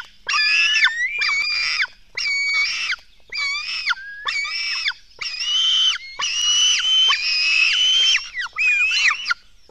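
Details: Black stork chicks at their nest give begging cries during a feeding at 04:53 on 24 June 2016. Strained, nasal wails rise and bend, in pulses roughly once a second with short gaps between them.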